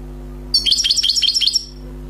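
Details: Newly wild-caught European goldfinch singing a flawless song: a one-second burst of rapid, repeated high twittering notes that dip and rise, over a steady low hum.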